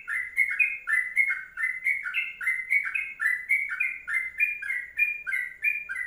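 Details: Sooty-headed bulbul singing long ropelan-style kongslet song, clear liquid notes in rapid up-down couplets repeated about three times a second, loud against a silent background.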